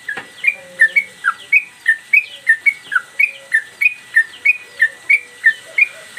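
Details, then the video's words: Captive Sooty-headed bulbul, singing vigorously while moving its tail, recorded as a master track for teaching cage birds. A fast, steady run of bright, clipped chirps, roughly three per second, continues throughout above a constant thin whistle-like hum. "Trucukan gacor mbandul satu lagu main ekor dan Garuda cocok buat masteran"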